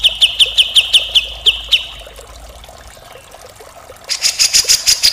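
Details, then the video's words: Grey-cheeked bulbul in rough mbeset kasar song, recorded as a tutor for songbirds: a quick row of piercing high chips, a quiet pause of about two seconds, then a buzzier, higher rapid series. "masteran cucak jenggot gacor full mbeset kasar"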